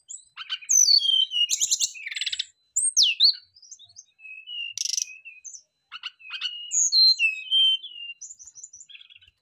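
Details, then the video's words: Brown-chested jungle flycatchers answering each other with rich, varied song: loud whistled slurs, buzzy chirp clusters and thin high notes in phrases separated by brief gaps. "rata rata srdc langsung sahut sahutan ngeplong bongkar isian ,pancingan tercepat srdc gacor"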